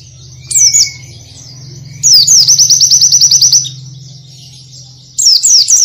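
Oriental white-eye singing high, thin sweeping notes, then a quick run of about fourteen identical chirps, over a steady low hum.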